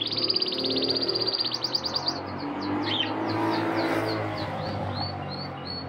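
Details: Male canary in breeding season, singing vigorously to a red female to win her over. Fast, even trills of high notes run for about two seconds, then looser rising and falling whistled sweeps. A low mechanical hum sits underneath.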